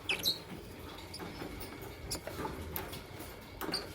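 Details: Fischer's and masked lovebirds chirping in the morning; brief shrill chirps open the recording and one more comes near the end, with soft ticking and pattering sounds in between over a low hum.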